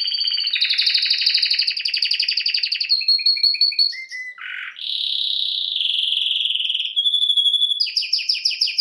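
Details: Canary singing during song training: varied trilled phrases, a dense buzzy trill, short repeated notes, a low rattling burst, then a steady whistled trill and a fast final series of high notes.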